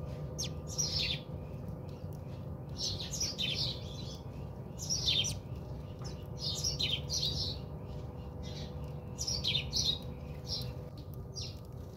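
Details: House sparrows bathing at a home in South Africa: bursts of short, bright chirps in quick clusters of two to four, repeated irregularly through the recording, over a steady low hum and faint tonal drone.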